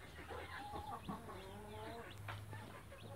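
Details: A Blue light mother hen accompanies her chicks, giving soft, nasal clucks and a rising murmured note, while a few thin chick cheeps sound over a constant low hum.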